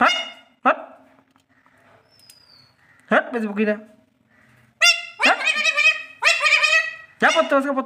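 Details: An Alexandrine parakeet taught to talk gives bursts of harsh, nasal, speech-like syllables, some rising and falling, interleaved with a person's lower voice speaking to it.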